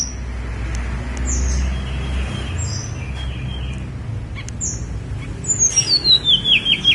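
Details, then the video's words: On Mount Songgo Langit, a Snowy-browed flycatcher gives faint high whistles, then a louder cascading series of short, sweet notes tumbling steadily downward in pitch, against a constant low rumble. "KICAU TLEDEKAN GUNUNG SONGGO LANGIT"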